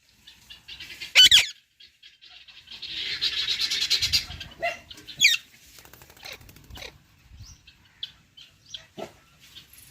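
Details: Pet parrots chirping and calling: one loud harsh squawk early on, then a long rushing, hissing burst, followed by scattered short sharp chirps and clicks with quiet gaps between them.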